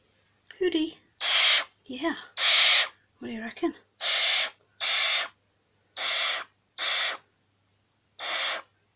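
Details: Grumpy captive barn owl being tickled, starting glove training, hisses over and over. About eight loud, noisy breathy bursts, irregularly spaced, mixed with a person's soft talking between them.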